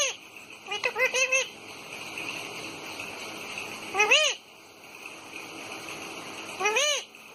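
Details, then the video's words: Talking pet parrot filmed on an iPhone. A quick run of arched, harmonic, speech-like notes comes near the start, followed by two single drawn-out calls about three seconds apart over a faint steady background hum. "बोलने वाला तोता मिठू मिठू"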